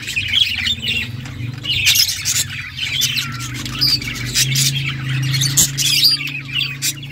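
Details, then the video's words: Budgerigars playing with each other, giving squawky chirps and busy warbling chatter above a noticeable low mechanical hum. "Budgies playing with each other birds chirping sounds"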